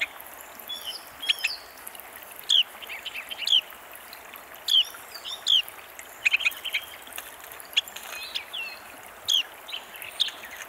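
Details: Carolina Wren singing at close range among other birds: bright, sharp down-slurred whistled notes repeated roughly once a second, mixed with softer chirps and twitters from nearby birds over a faint steady background hiss.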